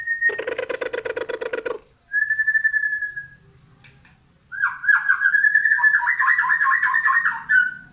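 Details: Newly acquired white-rumped shama of the Medan type, singing while pushing its tail: a harsh buzzy rattle, a long steady whistle, then a rapid, slightly rising warbled trill.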